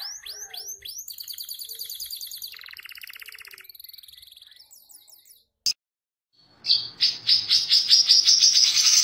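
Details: Long-tailed shrike master song of mimicry covering canary, lovebird, tree sparrow, sooty-headed bulbul and cililin; rapid rising slurred notes, a fast rattling trill, a pause, then a loud high twittering run.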